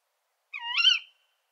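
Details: One female Tawny Owl 'kuwik' call: a sharp start, then a hoarse, nasal rising wail that grows loudest just before trailing off, lasting about half a second. The call is heard in silence.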